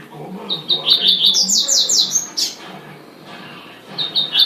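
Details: Bright song of a double-collared seedeater: stuttering high chips climbing into a fast, shimmering trill, then a pause before the next phrase begins.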